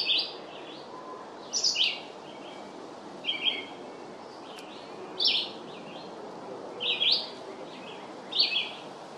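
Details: Long song of a red-eyed vireo, made of brief slurred whistled phrases alternating up and down, repeated roughly every one and a half seconds against a constant broad hiss.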